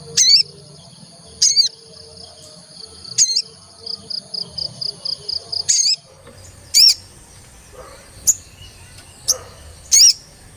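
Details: Olive-backed tailorbird, played as a lure to start birds singing: loud, piercing high notes at spaced intervals, with a quick rhythmic beaded trill running between the first few.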